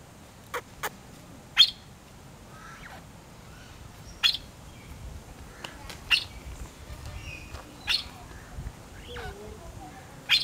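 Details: Palawan peacock-pheasant, an endangered Palawan endemic, caged at a crocodile farm in Puerto Princesa, male and female present, giving sharp, harsh chip notes about every two seconds; faint chirps and soft background murmur.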